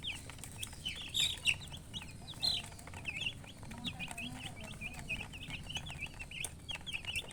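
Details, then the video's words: Chicks chirping in a busy chorus: many thin, rapid peeps, some louder sharp ones early on, over a steady low background hum. "Baby "Chicks Chirping" Sound"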